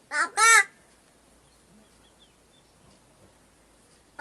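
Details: A crow in Gargaon village near a forest, Wada taluka, Palghar district, mimics human speech, saying words like "papa": two quick, hoarse, voice-like syllables, the second longer, then near silence with faint hiss.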